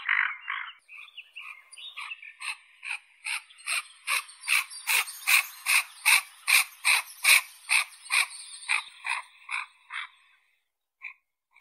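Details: Harsh, rasping common goldeneye notes repeated quickly and evenly, about two to three per second, building in loudness midway, then tailing off and ending with two isolated calls.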